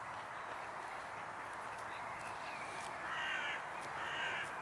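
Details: Swans recorded at a pond, Neuer Teich, on an April evening in 2017 at 11 °C: after a stretch of steady hiss, two drawn-out nasal honks with layered overtones sound in the final two seconds.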